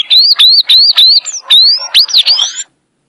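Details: Sayaca tanager giving its "violin" song style: a fast run of about nine squeaky, upslurred whistled notes, each bending upward, delivered in under three seconds and ending abruptly into silence.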